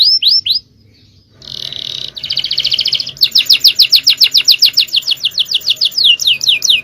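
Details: Male canary singing the champion cengkok style, used as tutor song: a few quick rising sweeps, a buzzy block, a fast trill, then a long run of rapid downslurred notes, roughly six per second, over faint background hiss.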